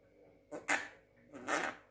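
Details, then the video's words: Young Javan myna aged six months, said to talk, producing two short harsh, breathy bursts about a second apart, the second longer and louder. "burung jalak kebo muda pinter ngomong usia 6 bulan"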